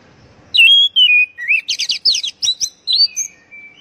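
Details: Oriental magpie-robin song, played as a lure to get captive birds singing readily: clear whistled notes sliding up and down, then a rapid burst of varied chattering and sweeping phrases, ending in a thin, level whistle against a quiet background.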